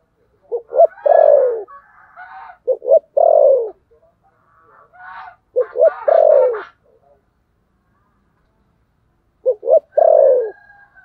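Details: Fighting-style coo of a spotted dove (cu gù đấu, thổ sấm gù). Four phrases come roughly every three seconds, each a quick stutter of short notes leading into one drawn-out, downward-sliding coo, with soft chatter between them.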